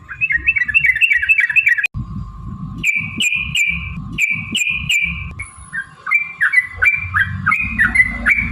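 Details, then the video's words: Long 'ropel' song of a yellow-vented bulbul, played as a provoking lure: quick bubbly whistled phrases, a brief break, then bursts of flatter notes and renewed dipping phrases over a constant background hum and low rumble. "trucukan gacor TARUNG ROPEL PANJANG pancingan trucukan agar bunyi"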